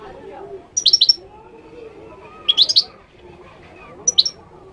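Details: Moroccan goldfinch song in three short bursts of fast, high, tinkling twitter notes spaced roughly a second and a half apart, with soft background hum between phrases.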